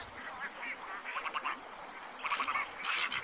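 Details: Black-crowned night herons in the wild give harsh, croaking quok-like calls in clustered bursts, several within three seconds, over a steady background hiss.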